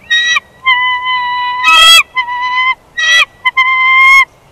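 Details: Bald eagle pair at their Big Bear Valley nest during a nest switch on 1 March 2021, with a second clutch of eggs present. The calls are drawn-out whistled tones mixed with short piping notes in a loose series.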